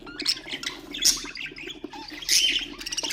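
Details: Short burst of budgerigar song for stimulating other birds: irregular scratchy chirps and two loud harsh squawks, mixed with quick whistled notes over a faint low hum.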